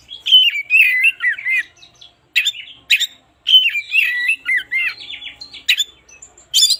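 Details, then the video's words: Relaxed morning song of an oriental magpie-robin, used as a lure for birds that are slow to sing: varied warbling, looping whistled phrases broken by short harsh chatters and brief pauses, loud and clear against a quiet background. "suara burung kacer gak ada ahlak"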